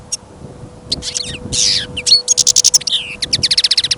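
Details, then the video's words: European goldfinch, caged and on trial listening, sings through sudden snowfall and wind during a trapping outing: buzzy rasping notes lead into a fast, even series of bright repeated chips and tinkling twitters. "Пение щегла - Голоса птиц. Щегол на прослушивании запел."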